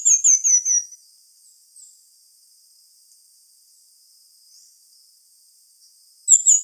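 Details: Pin-tailed manakin (tangarazinho) song: a high, thin series of about five whistled notes sliding downward, lasting under a second, followed by a long quiet gap before another phrase begins at the end.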